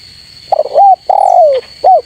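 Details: Spotted dove calling rivals: one complete low phrase, a rough rising double coo, a long hoarse coo gliding downward, then a short upturned final note, over a faint high steady tone.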